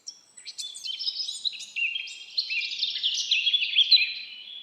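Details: A forest bird sings a long, unbroken, jumbled warble of quick high twitters and chirps that grows slightly louder toward the end.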